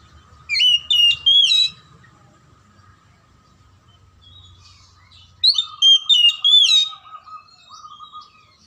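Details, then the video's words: Kacer, the oriental magpie-robin, singing to spur a lazy or silent bird: two separate bursts of bright, varied whistles with rapid slurred notes, a long quiet gap between them, and a constant low hum. "PANCINGAN KACER MACET & MALES BUNYI AGAR JADI KACER RAJIN GACOR NGOBRA"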